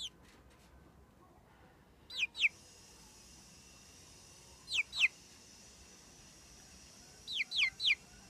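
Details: A frizzled Pekin bantam chick, millefleur porcelain-red and about a month and a half old, gives high, thin peeps, each sliding sharply down, in quick bursts of two or three every few seconds over faint background hiss.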